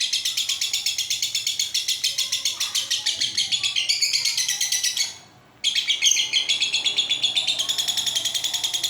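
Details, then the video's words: Pet lovebird performing a long-duration chattering song, stated as real and unaltered: dense rapid buzzy pulses repeated steadily, a brief half-second break in the middle, then the same harsh high trill resumes to the end. "Love bird ngekek durasi panjang"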